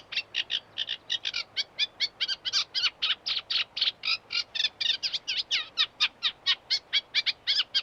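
A reed warbler chatters steadily: a rapid stream of harsh, grating notes, many doubled or tripled, some two a second, with no other sounds.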